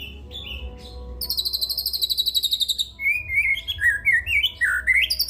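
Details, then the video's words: White-rumped shama in song with imitated 'cililin' material, mixing high buzzy trills near the top of its range with a run of clear, varied whistled notes sliding up and down, over a low background hum. "MURAI BATU MATERI CILILIN"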